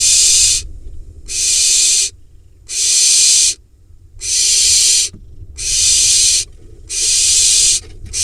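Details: Barn owl nestling in a nest box in the Hula Valley, Israel, in late July, harassing its father after he drops a mouse; loud rasping hisses about half a second long, repeated roughly every 1.4 seconds, with faint low hum beneath.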